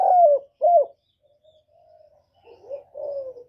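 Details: Spotted dove cooing to stimulate newly kept birds: two loud hoarse coos followed by soft drawn-out notes and two more rolling coos, low-pitched, in a quiet setting.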